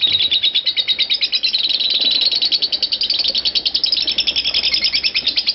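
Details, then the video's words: Lovebird delivering an extended ngekek in the 'konslet parah' style, meant as a training master. A continuous stream of piercing, rapid chatter runs without pause, its notes blurring together in places. "Suara Lovebird Konslet Parah"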